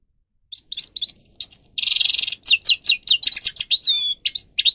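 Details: Grey-crowned goldfinch singer used to teach birds to sing: after a short silence, lively liquid twitters and rising whistles, a dense buzzy trill, then rapid chattering notes and looping high whistles.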